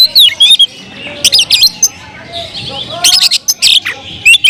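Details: Song of a caged Oriental magpie-robin (kacer): quick clusters of high, sweet whistles and harsh chips, some notes swooping downward, repeated in three energetic bursts.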